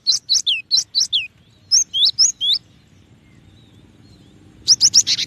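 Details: Cinereous tit (gelatik batu) song: evenly spaced high whistled notes, each falling in pitch, repeated about four per second in two runs, then a fast buzzy burst after a quiet gap.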